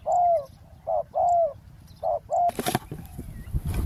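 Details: Spotted dove coos while luring a wild bird at a roadside ground trap: short and long hollow notes alternate, then a burst of rustling and scraping noise near the end.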